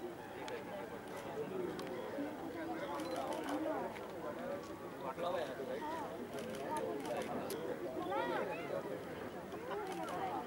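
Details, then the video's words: A large flock of lesser flamingos at Sewri Creek, Mumbai, India, gives a dense, continuous chorus of nasal, goose-like murmuring and honking, many voices overlapping without pause. "Lesser Flamingoes"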